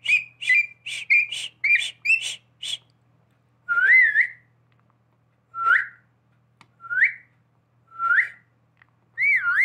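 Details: Talking pet parrot that whistles like a person: six quick pulsed notes open, followed by a spaced series of four or five clear upward-swooping whistles about a second apart, ending with a dipping wavering whistle.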